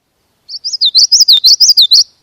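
Common Yellowthroat song: a quick, high, rolling 'witchety-witchety-witch', about eight clear slurred phrases in under two seconds, with no other sounds.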